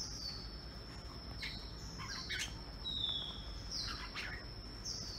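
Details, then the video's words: A rare albino red-whiskered bulbul sings in the morning: short, liquid, down-slurred notes about once a second over a steady high insect drone and a low background rumble. "Albino Jambul Singing In The Morning"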